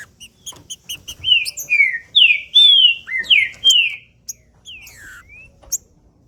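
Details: Green-winged saltator male singing, played to warm up and stimulate other males to sing: loud, rich whistled phrases with slurred falling and rising notes, preceded by sharp ticking clicks, quiet background.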